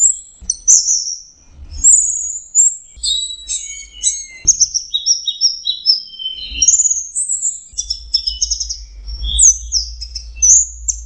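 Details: Orange-headed thrush singing a long, varied run of high, clear whistled phrases, some sliding and slurred, others rapid twittering trills, delivered almost without pause; faint low rumble underneath.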